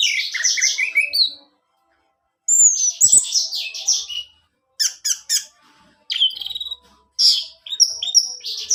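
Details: Orange-headed thrush, song played to stir a kept male to sing: harsh squawky phrases, scratchy bursts after a long pause, short sharp notes, then squeaky high slurs and chatter.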